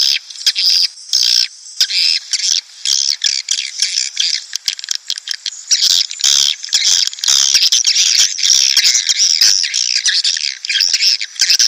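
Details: Swiftlets in a dense, continuous twittering of high, buzzy chirps and short trills, many overlapping, with hardly a pause and no other sounds; a lure recording meant to draw breeding swiftlet colonies into a nesting house.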